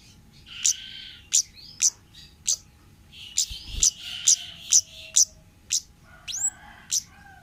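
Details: Orange-headed thrush in the wild 'ngalas' song style, used to lure young birds: rapid, varied phrases of piercing high notes mixed with rich warbled whistles, about two bursts per second, ending with a rising slurred note; background otherwise quiet.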